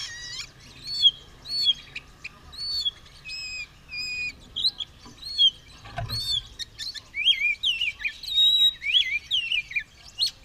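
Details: White-rumped shama (kacer), a bird said to be ready to fight with its tail spread, singing a varied series of clear whistled phrases and sweeping notes, some buzzy, with short pauses between bursts and a brief low thump near the middle.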